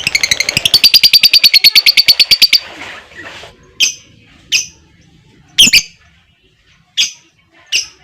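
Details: Lovebird giving the long trill used to prompt other lovebirds to sing. A fast, even, high chattering trill lasts over two seconds, followed by sharp single chirps spaced about a second apart.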